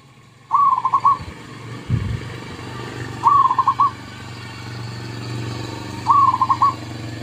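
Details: Zebra dove song played as a lure: three stuttering cooing phrases about three seconds apart, each rising then broken into quick beats, over a steady engine hum from passing motor traffic.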